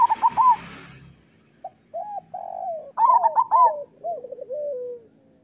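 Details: Local zebra dove singing, offered as training song for doves: a burst of bright cooing notes with clicks, then after a pause lower rolling coos and a longer trilled, falling phrase.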